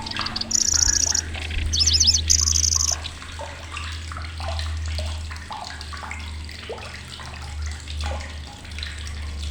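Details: Kecici belalang (lanceolated warbler), a migrant bird reaching Indonesia, with a loud, shrill song. Short high buzzy reeling trills and rapid repeated thin notes over steady chirping, a constant low hum, and water-like background noise.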